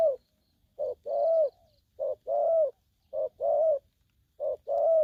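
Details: Aggressive young spotted dove uttering four rhythmic double coos in the 'thổ' manner, each a clipped lead note followed by a longer, slightly rising and falling hoot.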